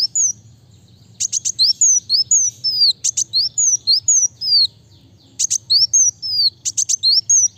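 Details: Van Hasselt's sunbird (kolibri wulung) in fast, dense gacor singing, used for prompting and tutoring other birds: high thin slurred downward whistles mixed with clustered sharp chirps in bursts, with a short pause between bursts and a low steady hum beneath.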